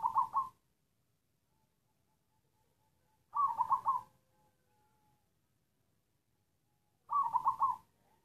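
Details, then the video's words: Black zebra dove of local wild origin, three short stuttering coo phrases spaced about three and a half seconds apart, each a rapid broken cluster of notes, with near silence between. "Suara perkutut hitam batuk batuk tersendat sendat"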